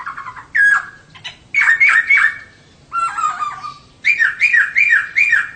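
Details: Singing of a female poksay (laughingthrush), played to prompt males to sing actively: loud burry slurred notes, including a run of four wavering rising-falling phrases at the end.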